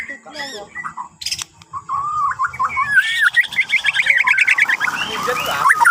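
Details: White-rumped shama from Borneo, morning song to prompt other birds: scattered soft whistles and clicks at first, then a loud, dense, rapid warbling stream over background rumble.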